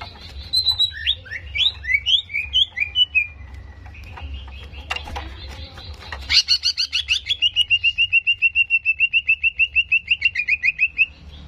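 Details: Greater green leafbird song meant to provoke aggression: tumbling, varied whistled phrases, a short pause with a few clicks, then a long, rapid and very even trill of repeated notes lasting about five seconds.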